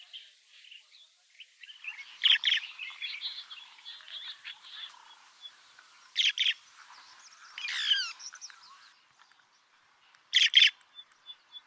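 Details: White-headed buffalo weaver in Meru National Park, Kenya, giving sharp high chirps in short doubled bursts a few seconds apart over steady soft twittering, with a squeaky rising-and-falling phrase in between.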